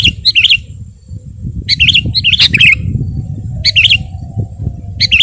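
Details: Actively singing sooty-headed bulbul, used as a training and lure recording for kept birds: short bubbly, warbled phrases of quick rising-and-falling notes, repeated about every second or so over a low rumbling background.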